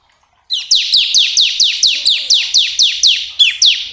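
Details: Bar-winged prinia song played to get caged birds singing, a loud, evenly spaced series of about thirteen sharp, downward-slurred high notes, roughly three per second.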